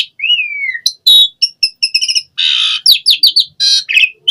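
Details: Gacor Asian pied starling song rich in isian: a smooth rising then falling whistle opens, followed by sharp clicks, stuttered chattering notes, a harsh grating burst and quick slurred whistles.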